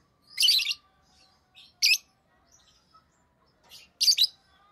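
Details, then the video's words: Rosy-faced lovebird, a tame pet, giving short harsh chirps in broadband bursts around two seconds apart, three main calls with softer faint notes between and a steady faint hum. "Rosy Faced Lovebird Chirping Sounds"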